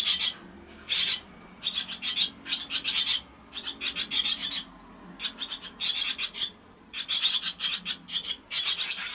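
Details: Swallow chicks at a watched nest on 4 June, evening feeding time, burst into harsh, raspy chattering in short noisy bouts, about one every second, with brief quiet gaps between.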